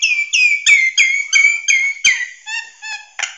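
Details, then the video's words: Nias hill myna song used as a training recording for songbirds: loud clear whistles, some rising, some falling, delivered in quick separate notes about three per second, with sharp clicks between them and no other sounds. "SUARA BURUNG - Masteran Terbaik Jalak Nias"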